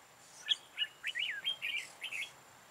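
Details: Trapping session with a decoy bird on 13 October 2018: a red-whiskered bulbul sings a quick run of bright, clear whistled notes that rise and fall, ending in a tight warbled flourish, in a full-ending song style.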